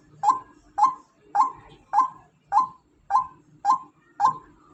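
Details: Female white-breasted waterhen giving eight loud, abrupt croaks in under five seconds, evenly spaced and rhythmic, with a soft background hum between notes.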